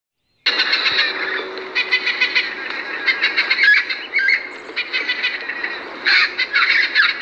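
Macaws give harsh, raspy squawks, several overlapping in bursts with brief pauses, loud and grating throughout.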